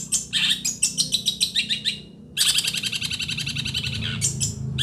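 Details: Long-tailed shrike from Situbondo singing a fast chattering series, a brief pause, then a dense loud rattling warble; low hum underneath.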